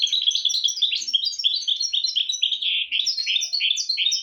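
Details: A goldfinch × canary mule delivers a dense, unbroken run of high chattering trills and sweet twittered notes, quickly alternating pitch, sung as a model for young goldfinches and canaries to learn from; no other sounds.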